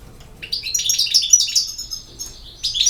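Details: European goldfinch, known locally as jilguero, from Bosnia and Herzegovina; a rapid jumble of twittering, tinkling high notes with buzzy trills, pausing briefly before a final burst.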